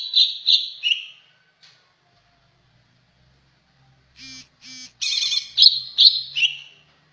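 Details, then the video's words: Greater green leafbird song: a few loud warbled whistles, a pause with a faint low hum, two short buzzy notes, then an energetic burst of rich chirps and rattles. "Merdunya burung trucak ijo"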